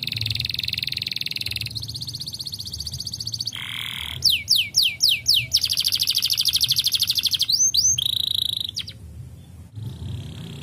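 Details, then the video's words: Singing canary urging other canaries to sing again, delivering a lively sequence: a rapid trill, a burst of descending swept whistles, a long rolling buzz and quick upward slurs, ending in a softer trill against a quiet hum. "A gyönyörű kanári dal bebizonyította, ösztönözve a többi kanáriust ismét az éneklésre"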